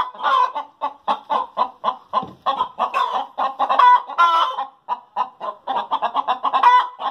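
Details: Chickens calling after laying eggs, a run of short clipped clucks repeated about three per second, broken by a couple of longer rising squawks in the middle and near the end.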